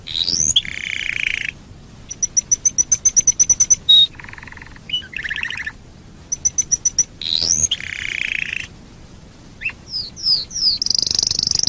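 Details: Canary song serving as a lure for other canaries: rising sweeps, buzzy low rolls, a series of clipped high whistled notes, repeated phrases, ending with a dense high trill.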